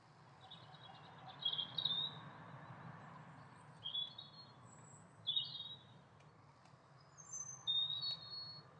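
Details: A pair of Eurasian siskins calling: short, thin, high twittering chirps in brief bursts at irregular intervals, with faint higher whistled notes between, over a low steady background hum.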